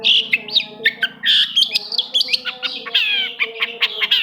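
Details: Long-tailed shrike song used as a lure to stir silent shrikes into singing: a dense, chattering run of high squeaky notes, upslurred whistles and harsh squawks with barely a pause, over a faint steady low hum.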